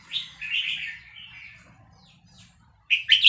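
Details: Vietnamese red-whiskered bulbul singing along to playback of hatched chicks, giving rapid linked phrases: an opening whistled flourish flowing into a warbled run, then a loud, bright burst after a short pause.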